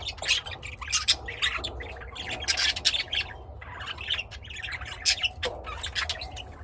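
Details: Home-kept lovebirds in Austin, Texas, USA, producing dense harsh chatter of short shrill squawks in rapid groups, pausing briefly midway before resuming, with low background hum.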